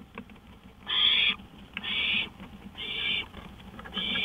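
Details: Owl out on a porch in the early hours of 5 May 2013, 1:53 AM: four rough, breathy screeches in quick succession over a low steady background hum.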